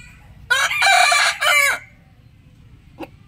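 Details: Rooster crowing loudly in a harsh, broad, two-part burst lasting just over a second, with a short break midway, then quiet low background hum and one brief click.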